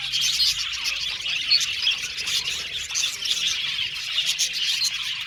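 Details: Aviary flock of Australian budgerigars giving constant bright chirps and chattering warbles, many voices overlapping at an even loudness.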